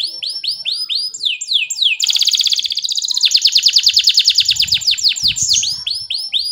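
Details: Canary song meant as a tutor for young canaries and to prompt silent ones: fast repeated arching trill notes, shifting into a dense buzzy rattle, then long runs of rapid even trills several times per second.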